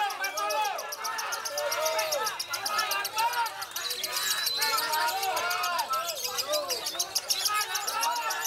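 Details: A champion lovebird in competition gives a long, unbroken ngekek chattering trill of rapid squeaky chirps, several birds overlapping, with faint crowd murmur behind; it is kept close to rivals so it keeps going.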